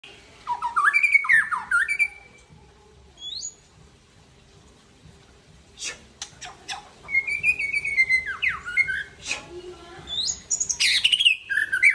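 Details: Aceh white-rumped shama singing at midday after bathing, in a varied burst of whistled phrases: rising and falling notes near mid pitch, sharp high clicks and buzzy bursts, with short pauses between phrases.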